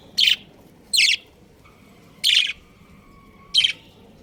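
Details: Breeding pair of pet budgerigars chirping: four loud, short, harsh chirps spaced about a second apart over a quiet background, with a faint steady hum between them.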